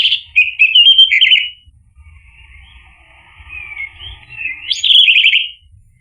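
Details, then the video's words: Orange-headed thrush song meant to provoke a quiet male to respond. A fast, jerky whistled phrase opens, then soft rambling subsong follows, and a loud rising, trilled burst comes near the end. "PANCINGAN ANIS MERAH agar NYAUT jadi BUNYI GACOR ikut NGEPLONG"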